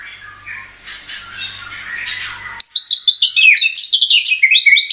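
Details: White-rumped shama (murai batu) lure song: a faint, noisy stretch gives way to a dense, fast jumble of high chirps and twittering whistles.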